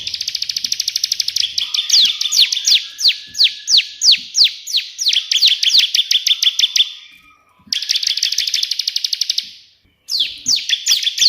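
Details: Burst song of a Bar-winged prinia: loud, descending whistled notes repeated about three times a second, then dense rapid chirping trills broken by two short silences. The bird keeps singing strongly throughout.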